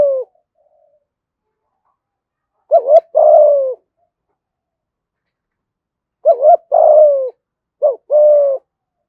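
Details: Spotted dove calling to lure and provoke fighting, its low cooing phrases each a quick two-pulsed note followed by a longer descending coo, the later phrases coming in closer succession.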